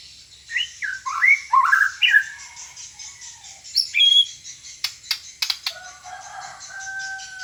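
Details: A magpie-robin delivers rich, fast-changing whistles and slurred chirps, followed by a few sharp clicks and then lower, steady drawn-out whistled notes toward the end.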